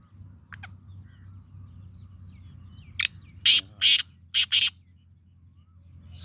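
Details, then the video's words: Black francolin male calling in the breeding season: a faint distant double note, then a rhythmic phrase of four loud, harsh rasping bursts in two quick pairs over steady low background noise. "کالا تیتر کی آواز"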